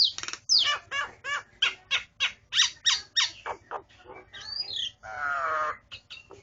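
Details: Song from a person's own starling: a quick series of descending whistled and scratchy notes, then sweeping slurred whistles and a long raspy buzz near the end, with a faint low background hum.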